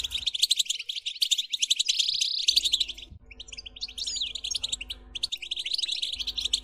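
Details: European goldfinch singing a continuous stream of bright, rapid twittering notes, with one short sustained whistle-like tone partway through and a faint background hum.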